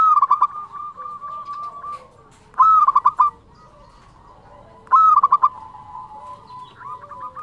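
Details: A local zebra dove, lively and sweet-voiced in the 'nyuling' flute-like style, sings three bright phrases, each a rising first note and a burst of quick bubbling coos, roughly every two and a half seconds, with quieter doves behind.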